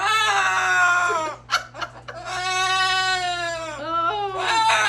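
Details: A pet female cockatoo, excited at night time and talking, gives two long, drawn-out, rich-toned calls, each over a second, separated by brief squawks and chatter, over a steady low hum.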